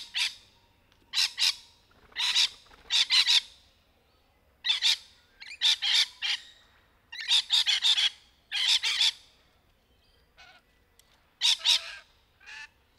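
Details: Rainbow lorikeets in trees, bursts of loud grating squawks in clusters, with quieter gaps and a few softer calls near the end.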